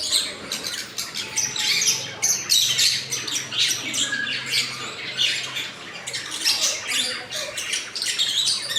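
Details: Caged breeding colony of lovebirds, with colour mutations such as opaline, green fischer and peach-faced kept alongside babies; a dense, continuous chorus of shrill squawks and sharp chirps overlapping throughout, with a faint low hum beneath.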